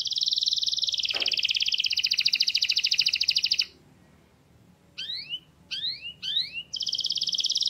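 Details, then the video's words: Canary singing: a loud fast pulsed trill for over three seconds, a pause, three rising swept whistles, then the trill resumes; a brief lower sound at the start. "تغريد كناري راااقي"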